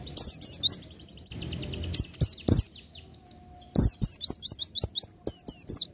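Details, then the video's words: Oriental white-eye in the 'ngalas nembak' song style for tutoring songbirds: shrill, fast twittering bursts, a quieter stretch of thin descending notes, then an energetic series of high chirps with sharp clicks among them. "PLECI NGALAS NEMBAK Untuk Masteran"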